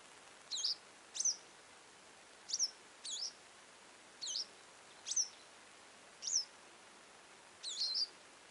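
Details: Western yellow wagtail chirping: nine thin, very high tseep-like notes, each a quick downward-curving slur, delivered steadily about every half to one second over low background hiss.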